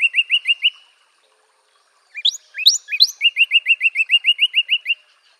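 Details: Northern cardinal delivering short, even series of sharp, slightly rising whistled notes, a few louder high sweeping notes, then a longer steady run of about a dozen quick notes.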